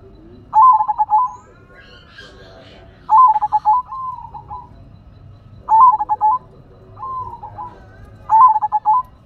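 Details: Zebra dove, a silver-coloured bird kept by a hobbyist: phrases of rapid stuttering coos near one pitch, each ending in a drawn-out purring note, repeated about every two and a half seconds, with faint background chatter.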